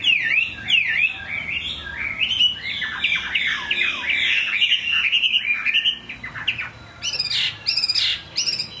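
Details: Chinese hwamei singing in the rain, a rapid series of loud, sliding whistled notes, each dipping and rising, about one and a half per second, ending with harsh, buzzy bursts.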